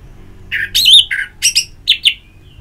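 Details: Ngeplong song of an orange-headed thrush, used as therapy audio to prompt a bird to sing: bright, slurred whistles and harsher chirps in short bursts separated by brief pauses.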